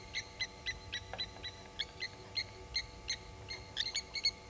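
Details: Blacksmith lapwings at Gowrie dam waterhole, Djuma Game Reserve, Sabi Sand, South Africa, give sharp, metallic 'tink' alarm notes at an unwelcome African harrier hawk, two or three per second, over a low hum; 07:33, 18 July 2019.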